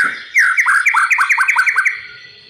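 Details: Oriental magpie-robin in captivity, song for training other birds: a rapid string of about ten sharp down-slurred notes, evenly spaced, fading at the end.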